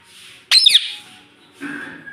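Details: A pet parrot that is known to talk ('mitthu', 'mummy') gives one loud, harsh, bending squawk indoors. A softer, raspy note follows a second later.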